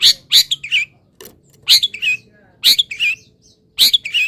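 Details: Misted caged long-tailed shrike in morning sun repeating a phrase about once a second: a raspy burst then a wavering whistled note, with a short sharp chip between phrases.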